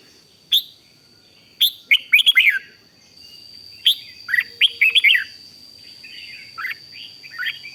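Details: 'Rik'-style song of a red-whiskered bulbul, used to get other bulbuls excited: clipped opening notes, then tumbling runs of warbled, downward chirps, repeated three times, with a continuous thin high tone throughout.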